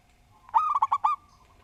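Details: Single brisk phrase of a local Javanese zebra dove: five fast rolling coos in under a second, over a low constant hum.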